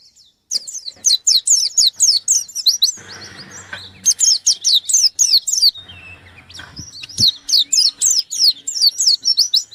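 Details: Pleci white-eye in full gacor song looking for a rival, pouring out three long bursts of rapid, piercing, down-slurred chirps separated by brief softer twitters, with faint low background noise.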